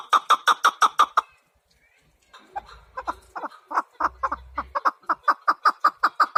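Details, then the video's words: Rapid chuk-chuk notes from a chukar partridge, a tight burst first, a short gap with faint low hum, then a long run of repeated clucks. "Кабки сурак кариб маст шавад Keklik الحجل Куропатка Partridge"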